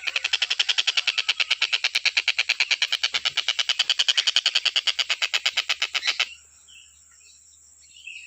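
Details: Stork-billed kingfisher used as song-training material: an unbroken six-second string of sharp, rasping notes at a steady quick pace. It stops abruptly, leaving faint background chirps.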